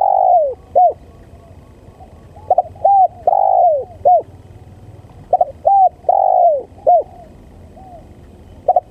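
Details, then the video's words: Spotted dove used as a lure call coos in low, hooting phrases, short notes followed by a longer falling coo, repeated in groups with brief pauses. "Suara Pancingan Tekukur Pikat||Yang sangat gacor"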